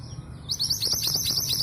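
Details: Local East Javan female long-tailed sibia, kept as a lure to set silent males singing, gives a quick run of high, sharp, chattering chirps after a quiet half-second. Faint low rumble beneath.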